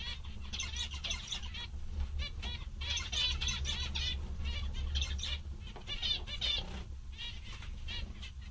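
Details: Happy zebra finches in a busy chorus of short nasal toy-trumpet notes and buzzy phrases, closely spaced and overlapping, a brief lull near the end, low hum underneath.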